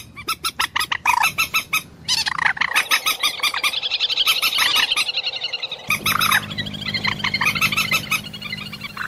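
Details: Common moorhen producing a long run of loud, rasping, repeated notes that speed into a chattering stutter, with a low steady hum beneath the last few seconds.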